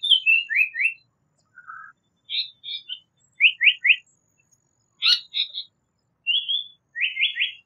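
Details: Japanese paradise flycatcher song in clean, separate phrases: a falling chatter, a low soft note, and sharp chips. Two bursts of three fast, rising, slightly buzzy notes stand out against silence.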